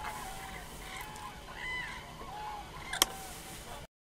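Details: Far-off common cranes uttering rolling trumpet calls in loose overlapping series, followed by a sharp click near the end before the recording cuts out.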